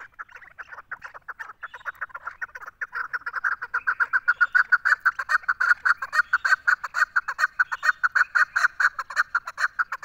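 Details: Female Chukar partridge calling: a rapid series of harsh clucking notes that starts soft and sparse, then speeds up and grows louder into a steady, pulsing chatter.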